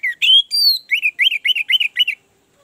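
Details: Orange-headed thrush song used as a lure to coax caged birds that are stuck or lazy into singing: two drawn-out whistles, then six quick matching slurred phrases in even rhythm, no other sounds.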